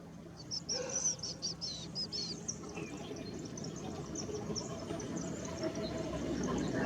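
Blue-naped chlorophonia giving a run of high, thin, slurred whistled notes in quick succession, over a steady background hum and faint other birds.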